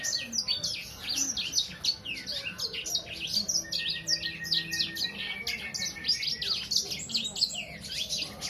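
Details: Young Sangihe hanging parrot about three months old, kept as a cage bird, singing without pause: a dense stream of high, sharp, twittering chirps and quick downslurred notes, with a few longer flat whistled tones and faint background murmur.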